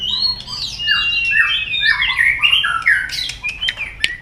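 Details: White-rumped shama singing loudly, a lure recording meant to get silent shamas singing: a continuous flowing stream of rich, varied whistles sliding up and down, closing with scattered sharp clicks.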